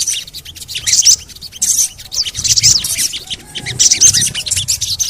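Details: A sogon gives bursts of shrill, scratchy chirps, each about half a second long, to provoke other sogon birds into calling. A faint low rumble sits underneath.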